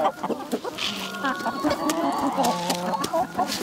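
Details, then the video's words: Chickens from a village flock, dense overlapping clucks and short nasal calls with a steady low hum and scratching noise beneath, several birds calling at once. "Dinlendirici Tavuk Sesleri Doğal"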